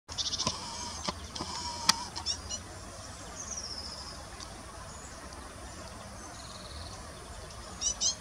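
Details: Great tits in a snowy mespilus (Amelanchier ovalis) bush giving thin, high calls: a few quick ticks early, a drawn-out high note midway, and a short sharp burst at the end, over a steady soft hiss.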